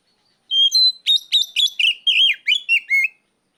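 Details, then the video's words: Oriental magpie-robin calling out a rival with a loud, continuous two-and-a-half-second run of about nine bright whistled notes, warbling and slurring downward toward the end, in a quiet setting. "NGEPLONG TERIYAKAN KACER MEMANGGIL LAWAN"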